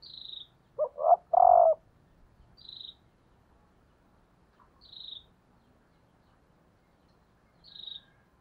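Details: Decoy female spotted dove calling to stir up males gives one three-part coo: two brief notes, then a drawn-out, falling coo. A high, thin chirp from another bird repeats about every two and a half seconds.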